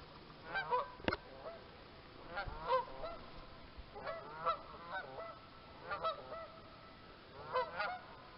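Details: Canada geese, many gathered at one site where ducks were also present: distant honking calls in short clusters of two or three notes, repeated every second or so, over a steady background hiss with one sharp knock.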